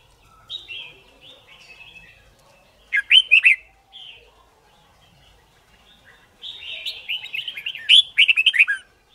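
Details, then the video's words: Red-whiskered bulbul singing in a competition-style training session: soft, scattered warbles, then a short, sharp, loud phrase, followed later by a longer run of quick chattering notes. "Luyện Chim Chào Mào Má Trắng Học Giọng Nhanh. Chào Mào Hót / Chào Mào Hót Đấu"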